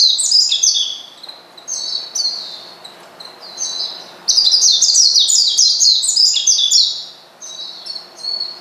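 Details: Oriental white-eye calling a rival to anger it; high twittering chirps come in quick runs, building to a dense, loud burst midway before tapering off.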